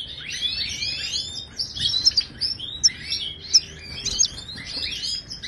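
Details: Moroccan wild European goldfinch song, played to teach caged goldfinches to sing. Tinkling chirps and slurred twitters repeat in quick, irregular bursts roughly once per second, bright and high against faint background hiss.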